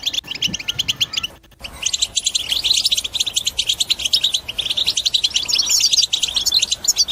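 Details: European goldfinch in 'batbata' song to encourage other birds to sing: bright twittering, a brief pause after one second, then a denser, continuous run of fast chirps and buzzy trills.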